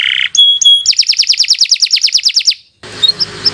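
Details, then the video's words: Canary singing long phrases, a master recording for young birds: two pure whistled notes, then a long rapid trill of bright repeated notes, a brief pause and soft chirps over background hiss. "Kicau Burung Kenari 101 II GACOR PANJANG Cocok untuk Masteran"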